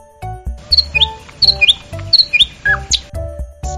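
A sparrow gives sharp, high chirps in quick pairs, roughly every half second, over soft background music and a child-friendly spoken voice.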